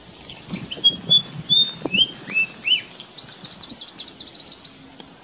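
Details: White-browed fantail at Mangar, Faridabad, Haryana, on 9 April 2017; a few clear, sweet whistled notes, some flat and some slurred up and down, then a busy run of high twittering notes before fading out.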